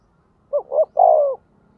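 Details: A single cooing phrase from a spotted dove used as a decoy to provoke rival doves. Two quick soft notes lead into a long, smooth, descending coo.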